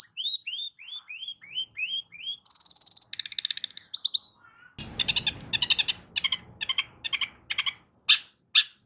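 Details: Song of a long-tailed shrike for coaxing a non-singing shrike: a run of rising whistles, then a buzzy trill, then harsher chattering notes after a brief noisy burst, ending in scattered sharp calls.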